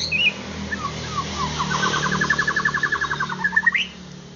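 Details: White-rumped shama singing, used to stir a kept bird into song, with a few whistled notes leading into a fast rattling trill of evenly spaced pulses, ending in a rising whistle, over low hum.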